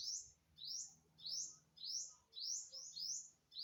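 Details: Unidentified bird recorded on September 27, 2022, giving a repeated high call: rising, slurred notes about every half second, some doubled, over faint low background rumble.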